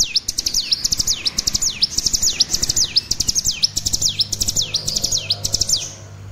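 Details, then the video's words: Juvenile olive-backed sunbird practising its song: a sustained run of high, thin, sweeping notes dipping down and rising again, repeated rapidly for several seconds, with low background hum. "Cigun trotol belajar bunyi"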